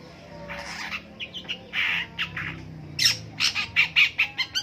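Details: Long-tailed shrike in the morning giving rough, squawking notes, some drawn out and buzzy, then breaking into a rapid run of short scratchy chirps toward the end.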